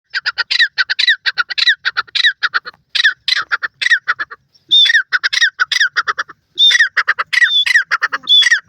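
A grey francolin calls in a fast run of harsh, ringing, squawky notes, repeated several times a second in bursts with short pauses.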